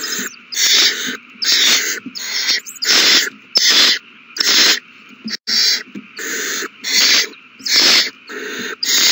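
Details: Owl chicks at a big meal, all young eating well, 27 March 2020; about thirteen short, rasping hiss-shrieks in quick, slightly uneven succession, with brief silent gaps between them.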